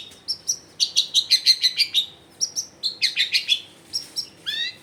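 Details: Long-tailed shrike used as a lure so silent shrikes join in, recorded at a house in a busy neighbourhood: clear rapid series of bright whistled chips, about three per second, ending in a harsh descending trill.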